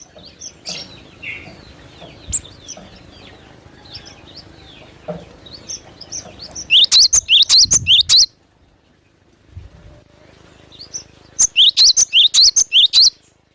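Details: Cinereous tit singing strongly for luring: a background of many soft twittering birds, then two loud runs of rapid, high, sharp rising notes separated by a quiet gap.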